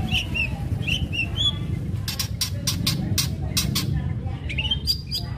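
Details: Long-tailed shrike in energetic fighting-style song, used as a lure to provoke other shrikes into singing: short whistled chirps, then a run of harsh, scratchy bursts repeated rapidly in the middle, over a steady low rumble.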